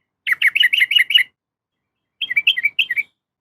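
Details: Female yellow-vented bulbul calling a male: a fast run of six liquid, bubbling notes, then after a pause a softer phrase of four descending warbled notes.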